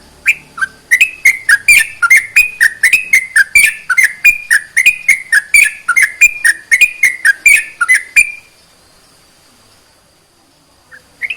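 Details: Sooty-headed bulbul song used to rouse other bulbuls to sing: some eight seconds of rapid, bright whistled notes alternating up and down in pitch, then silence and two faint notes.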